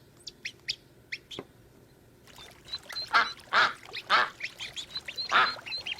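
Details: Ducks on a pond: soft high chirps and thin whistles at first, then broad, nasal quacks in uneven bursts over the second half, with faint high whistling notes from other birds behind.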